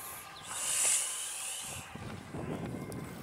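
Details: A domestic goose, attacking while the female sits on her nest nearby, gives a harsh, breathy hiss as a person shouts at it; 28 April 2013, near 52.01862, 4.30596.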